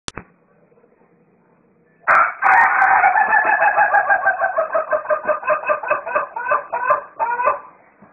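After a brief quiet start, a rooster gives a loud, harsh, raspy crow with a rapid pulsing texture, drawn out for about five seconds before fading.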